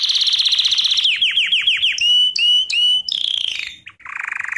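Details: Canary singing in a training lesson: a fast high trill, then a series of downward-sweeping whistled notes, a few sharp upslurred chips, a descending trill and a closing buzzy rattle.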